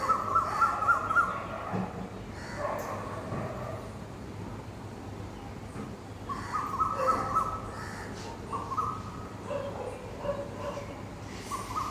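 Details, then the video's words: Morning calls of an Asian koel sitting in a park tree: clear, fluting notes in short series, with a loud burst at the start, then quieter repeated phrases against a constant low hum. "कोयल की आवाज़"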